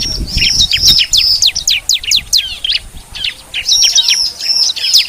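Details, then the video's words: Bar-winged prinia sounds played as a bird lure: a fast, continuous string of high, sharply falling notes and short whistles over a low background hiss. "suara pikat ciblek"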